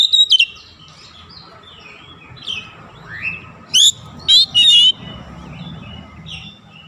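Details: Oriental magpie-robin song for luring other birds into singing. Scattered soft whistles over a low background hum, then three loud, sharp phrases close together with a ringing quality.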